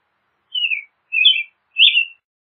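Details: Three separate slurred whistles from an American robin, each dropping slightly in pitch, spaced about half a second apart in quiet surroundings.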